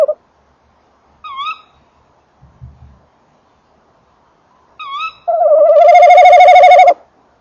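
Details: Tawny owl pair at a nest box, 28 December 2013, 19:48, microphone close: two brief, higher wavering calls a few seconds apart, some faint knocking, then a loud rolling trill lasting about a second and a half.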